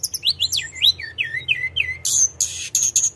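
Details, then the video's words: Sunda robin, locally tledekan gunung, singing nonstop in rolling style: quick downslurred whistles tumbling lower, then dense high buzzy trills and sharp ticking notes. "Kicauan Tledekan gunung full gacor ngeroll"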